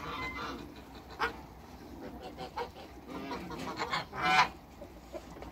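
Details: A pair of African geese kept in a backyard with other waterbirds, giving scattered loud honks, one strong harsh honk near the end, over a busy background of other fowl calls.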